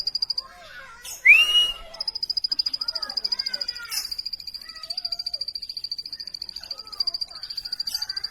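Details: Plain prinia giving a steady, rapid string of high, even-pitched buzzy notes. Early on it is interrupted by a loud upslurred whistle, with scattered lower chirps and murmuring in the background.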